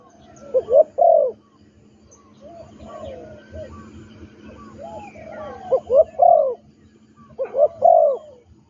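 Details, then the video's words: Captive spotted dove trained as a ground decoy, giving strong emphatic coos at intervals, with softer murmured coo notes between the louder phrases. "นกเขาใหญ่ต่อดิน นกฝึก "เจ้าพายุ"เชลย?"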